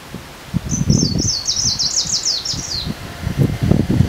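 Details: A greenish warbler, recorded at Wągrowiec on 12 June 2014, gives a quick, high, jumbled phrase of about two seconds, made of slurred notes that fall in pitch, with low rustling and thumping underneath.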